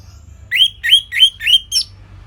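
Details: Orange-headed thrush recorded in northern Bali for training caged songbirds, giving five harsh, rising squeaky notes evenly spaced about a quarter second apart.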